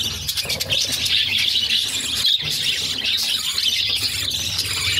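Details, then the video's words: Budgerigar mother feeding her six chicks; the young give a rasping, high-pitched begging din, continuous with brief louder squeaks and a short dip near the middle. "Budgies baby feeding || Mother budgies feeding her cute babies"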